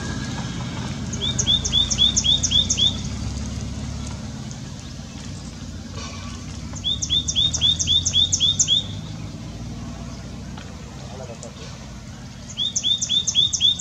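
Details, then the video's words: White-naped tit calling continuously: three bursts of six or seven fast, upslurred whistles with higher overtones, spaced several seconds apart, against soft rural background noise. "White-naped Tit calling"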